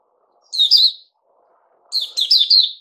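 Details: Bulbul of the Puteh Raja type, dated 08052021, fed juice and a mealworm: two short liquid warbled phrases with quick up-and-down notes, a gap of nearly a second between them, faint low murmur behind.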